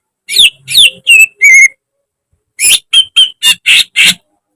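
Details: Greater green leafbird in a cage, training recording: a few slurred whistles and a level ringing note, a pause, then a series of loud harsh buzzy bursts with some short whistled notes.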